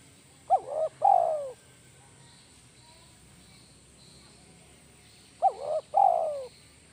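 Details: Lure spotted dove calling in the 'kuk 1' style, repeated twice about five seconds apart. Each phrase is a quick doubled hooked coo followed by a longer gliding note that droops downward, with faint high insect-like hiss behind.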